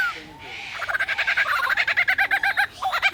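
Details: Superb lyrebird in a zoo enclosure at Adelaide Zoo, Australia, mimicking the shutter of a DSLR camera photographing it: a rapid train of evenly spaced clicking pulses, about ten per second, with a brief pause near the end.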